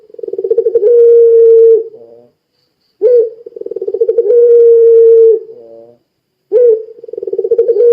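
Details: Three phrases from a puter pelung Barbary dove, meant to get other doves calling, each parted by silence: a sharp start, fast pulsing build-up, a held hollow coo about a second long and a brief buzzy tail.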